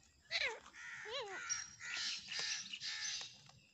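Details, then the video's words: Fighting black francolins, called dakhani teetar: a short series of harsh, nasal, down-curving squawks, two of them clearly arched, then a run of rough, hissing, overlapping calls. "dakhani teetar ki ladai ! Teetar ki larhai ! Amazing teetar fight"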